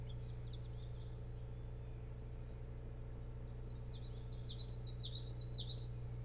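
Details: Osprey at the Boat House nest on Hog Island near Bremen, Maine, calling at night on 24 June 2018: a run of high, quick zigzag whistles rising and falling, growing louder toward the end, over a steady low electrical hum.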